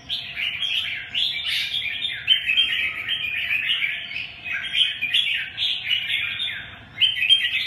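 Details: Lively warbling song of a red-whiskered bulbul, dense chirpy phrases run together in rising and falling waves, with a quick high note standing out near the end and a faint hum behind.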